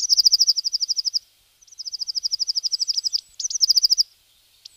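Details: Eurasian blue tit on 10 March 2018 singing high, rapid trills of evenly spaced short notes, three bursts with thin sliding notes between them, in a quiet setting.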